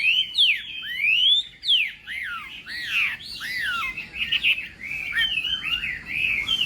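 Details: Chinese hwamei singing in a morning voice-training session for song contests: loud rising and falling whistled phrases, some long upward sweeps, delivered in quick varied bursts with short pauses.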